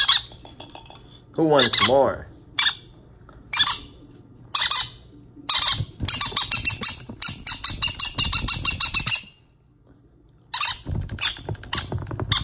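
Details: Hand-fed baby green-cheeked conures begging for food, a person speaking briefly at first, then a fast run of harsh, raspy squeaks pouring out for several seconds before a pause and more scratchy calls.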